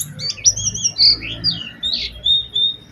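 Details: Oriental white-eye lure song meant to prompt other white-eyes to sing: high thin whistled phrases, some sliding and some steady, broken by short pauses, with a faint low hum underneath.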